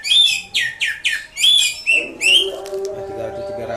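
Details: Indonesian greater green leafbird singing ngatrok style: six loud, clipped, downward-sweeping whistles delivered in quick succession, then a fading low murmur and faint background noise.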